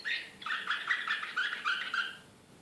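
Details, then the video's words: Belgrade canary of the Srpski slavujar song type, 2014, giving a short agitated phrase of rapid chirps and liquid trills that fades out at the end. "CANARY SINGING SRPSKI SLAVUJAR BEOGRAD 2014 DEXX. كناري هائج"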